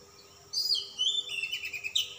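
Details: Calm-type Oriental magpie-robin in vigorous full song with a rich learned repertoire. Bright, high, quickly varied whistles and slurred notes begin abruptly and run almost without pause to the end, over a faint background hum.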